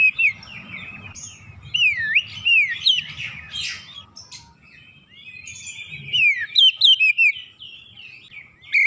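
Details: Oriental magpie-robin resumes gacor song after one lure: wavering, looping whistles, a scratchy rasp in the middle, then a fast series of swooping notes, with low background rumble.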